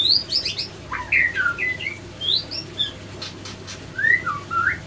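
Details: White-rumped shama male and female attacking each other after an unsuccessful pairing; rapid bursts of harsh high chirps and squawks, then short slurred whistles in loose pairs, over a low steady hum.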